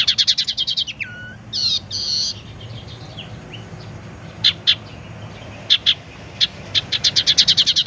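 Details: Tailorbird (sirtu teras) lure sound with varied phrases, meant to draw in wild birds and get idle caged tailorbirds singing: rapid chip series, a dropping whistle, two buzzy bursts, scattered sharp ticks, then another fast run of chips.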